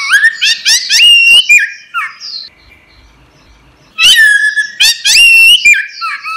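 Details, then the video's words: Orange-headed thrush song used to train caged songbirds: loud, rich whistled phrases that slur upward and then down, stopping for about two seconds before a second strong phrase. "suara burung anis merah | gacor | masteran"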